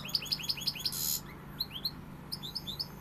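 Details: European goldfinch, pegada song style: a quick run of repeated bright chirps, a short harsh buzz, then lighter rising twitters in loose groups.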